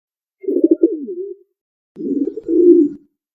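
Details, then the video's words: Pigeon giving two low, soft coos, each about a second long: a stuttering, throbbing start that slides into a smooth purring tail, with a pause between them and no other sounds behind. "SONIDO DE PALOMA"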